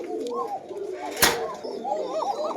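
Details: Koka domestic pigeons at a loft, a breeding pair whose two chicks were just removed, cooing in soft, rolling low phrases, repeated several times, with a sharp click partway through and faint room noise behind.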